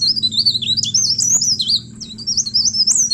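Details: High, sweet leaf warbler song used as a lure for other birds: wavering, slurred whistles that rise and dip in quick succession, with a brief dip in volume midway, over a low hum.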